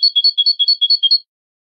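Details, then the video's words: Canary performing malagueño song for training: an even, rolling trill of about a dozen notes that alternate between two close high pitches, lasting just over a second, followed by silence. "cd canto malagueño"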